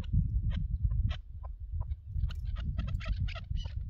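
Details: Chukar partridge recorded on a partridge hunt: scattered clucks that build into a rapid, rough chattering series, partly masked by strong, gusty wind.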